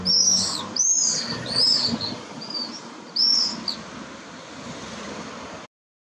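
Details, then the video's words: Common swifts together with pallid swifts, uttering shrill, high screams in quick bursts, several close together at the start and another after a pause, then fading into faint background noise before cutting off. "Rondoni Comuni Rondoni Pallidi"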